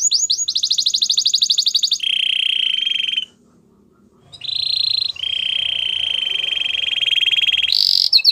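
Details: White Belgian canary singing: a very fast, high rolling trill, then a lower sustained buzzy trill, a short break, and more long, even trills at mid and high pitch.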